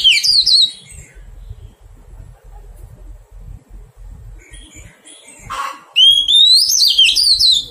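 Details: Captive wild-caught Oriental magpie-robin during taming: two bursts of loud, rising whistled song separated by several seconds of low handling noise, the second burst after a sharp click, each with fluty slurred notes.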